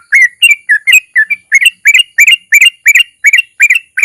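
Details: Sooty-headed bulbul (trucukan) lure song to make other bulbuls sing: clear bubbly whistled notes, rising and falling, delivered about three per second in a steady run.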